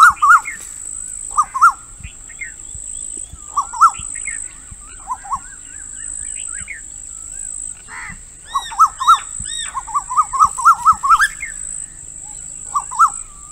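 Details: Female Asian koel calling outdoors: bursts of sharp, rising-falling notes repeated rapidly in quick runs, pausing between bursts, with a steady high electronic whine throughout and faint chirps from other birds.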